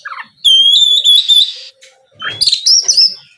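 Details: ['Oriental magpie-robin in energetic, full song meant to provoke rival birds into answering. Two bursts of clear, high whistled phrases with trills and rising slurs, separated by a short pause.']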